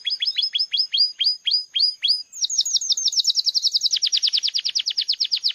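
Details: Red feo-mutation Belgian canary song, opening with evenly spaced high downward-sweeping whistles, then speeding into a rapid rolling trill of sharp repeated notes that drops slightly in pitch midway and continues steadily to the end.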